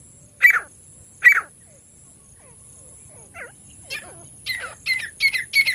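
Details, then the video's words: Partridge (teetar) calling: two loud harsh notes, a quiet gap with faint softer sounds, then a faster run of four rasping notes. "तीतर ना आने वाला बेस्ट आवाज। The best sound of the partridge not coming | partridge voice"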